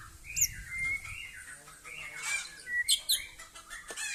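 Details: Murai Aceh (white-rumped shama) doing its 'kapal layar' (sailing ship) display in a yard: clear whistled notes gliding and wavering mid-high, with sharp high chirps between phrases.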